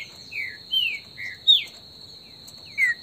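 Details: Trinca-ferro (green-winged saltator) outdoors in the bush, esquenta type: rich, slightly burry whistles, some level and some sharply dropping, spaced irregularly over three seconds, with a steady high-pitched insect buzz throughout.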